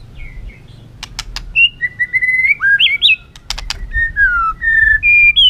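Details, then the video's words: White-rumped shama in a cage (chòe lửa, murai batu) singing to excite other birds: varied clear whistled phrases rising and falling around 2k, punctuated by sharp click bursts. "hót dụ chim kích lửa hót đấu căng lửa"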